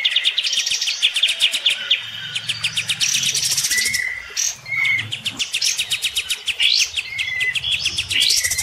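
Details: Olive-winged bulbul, a kept bird bathing while sparring vocally with a neighbour's bird, giving fast buzzy chattering trills broken by short clear whistled notes, with a low hum beneath.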